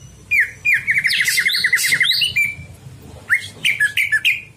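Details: At night a greater green leafbird sings for training other birds: a long rapid trill of repeated notes, harsh squawky bursts, then clipped two-note whistled chirps, with low background hum.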